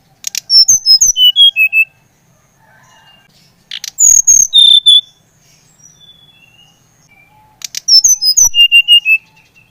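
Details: Bali brown-chested jungle flycatcher song meant to stimulate another bird to sing: three bursts of loud clear whistles, each opening with high sharp notes and sliding down to lower sustained tones, spaced about every three to four seconds.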